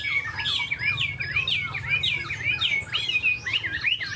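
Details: Tame caged Chinese hwamei with fanned tail, set down while displaying its wings in an eagle-like pose. It pours out rapid whistled notes, looping up and down, with slurred phrases that run on without pause; low hum underneath.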